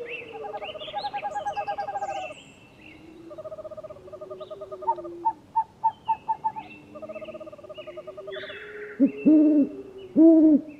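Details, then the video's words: Several different owl species calling in turn: mellow trilled hooting runs, then five evenly spaced hoots about half a second apart, ending in loud, wavering, moaning notes. "SOM DE CORUJAS - DIVERSAS E INCRÍVEIS CORUJAS - OWL SOUND - CANTO DAS CORUJAS"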